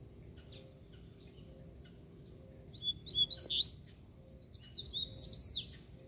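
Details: Free-flying, feisty double-collared seedeater appearing and calling as if to pick a fight: scattered thin, high whistled chirps and short rising notes in loose phrases, fairly faint, over a quiet low hum.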